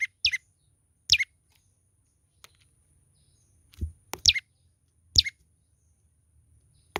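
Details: A young olive-backed tailorbird sings energetically. Single and paired high chirps drop steeply in pitch, spaced about a second apart, alongside occasional low thumps and clicks.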